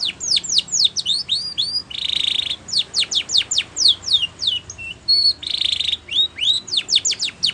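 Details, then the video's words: Spanish Timbrado canary singing training song. Bright, sharply descending whistled notes come in quick runs, broken by two brief buzzy trilled bursts, over a light steady background hiss. "Spanish Timbrado song For Training"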